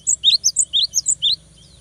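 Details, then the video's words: Cinereous tit singing in lively 'gacor' form, played to provoke rivals into singing: a quick 1.3-second run of about nine high, sharp whistled notes that alternate between a lower upslurred note and a higher one, over a quiet background. "GELATIK BATU GACOR BIKIN LAWAN EMOSI !!! LANGSUNG NYAUT !!"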